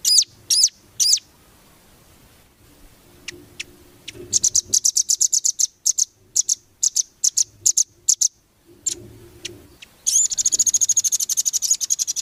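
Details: Velvet-fronted nuthatch song used to tutor competition birds: a few loud high notes, scattered chirps, then quick trill bursts, closing in a long, dense high rattle.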